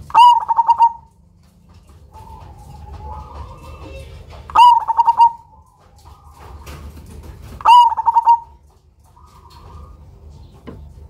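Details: Loud-voiced zebra dove of the Cemani type, a lure bird, repeating a phrase about every three seconds: a sudden opening note then a fast, stuttering string of short coos, with faint low murmuring in the gaps.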